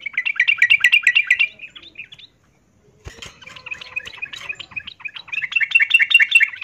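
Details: Yellow-vented bulbul female in breeding condition calling to a male; dense rhythmic chattering phrases, a brief silence, then a faint knock and renewed rapid buzzy chatter building louder.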